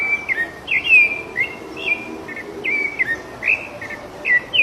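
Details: A rufous-bellied thrush sings loose in nature: sweet whistled notes, some held and some sharply bent downward, spaced in a relaxed, unhurried phrase.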